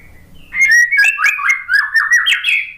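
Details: White-rumped shama after moulting, kept in a cage, singing a rich run of slurred whistles and quick chattering notes that rise and fall, loud and continuous for about two seconds.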